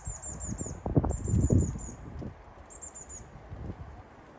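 Eurasian blue tit giving very high, thin notes in quick runs of four to six, three bursts in all, over low thumps and rumble.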